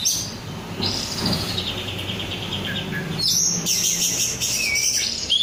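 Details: Untrained 'rudal Korea' oriental magpie-robin singing vigorously: a high buzzy trill, then thin sustained whistles and a falling slur, over steady background noise.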